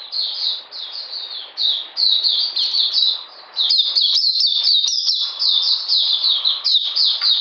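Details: Rapid chattering song of an Oriental magpie-robin during cold rainy weather, 13 June 2020; clipped, descending notes tumble together in a continuous stream, with a short lull near three seconds before it resumes more loudly.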